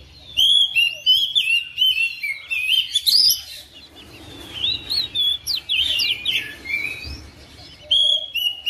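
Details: Home-kept oriental magpie-robin answering another bird within seconds, singing vigorously: loud, varied whistled phrases, sweeping slurs and rapid chattering notes in bursts, with a short quieter pause before strong whistles resume near the end.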